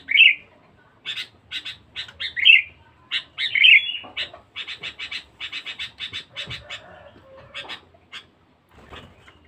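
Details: Sooty-headed bulbul recorded as a lure (pikat) sound, a very loud, fierce bird: three bubbly, slurred notes open the clip, then a fast run of sharp, evenly spaced chirps, fading into softer twitters near the end.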